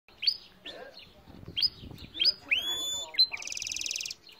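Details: Goldfinch and canary hybrid singing: sharp high chips and short upslurred notes, a clear pure whistle, then a fast buzzy trill near the end.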